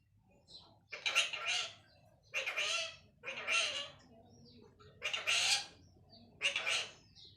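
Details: Pet parrot saying "mittu" again and again: five loud, hoarse two-syllable bursts, each about half a second long and spaced one to two seconds apart, over a quiet background.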